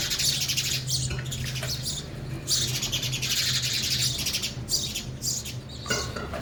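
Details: Sparrows feeding at a feeder: dense, continuous high chattering chirps from several birds, with brief louder bursts and a steady low hum underneath.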